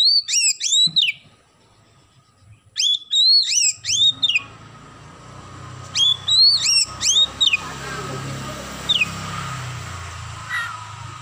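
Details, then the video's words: Oriental magpie-robin singing vigorously with a house-sparrow imitation fill. Bright hooked chirps are delivered in quick clusters of three to five, with a pause between clusters. A steady hiss and a low hum rise behind the later phrases. "KACER GACOR ISIAN GEREJA"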